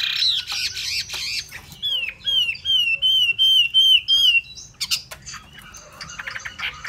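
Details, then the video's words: Hwamei song: a scratchy opening flourish, then a string of eight loud, clear whistled notes at an even high pitch, each with a downward flick, repeated steadily before rougher chattering notes close the phrase. "họa mi"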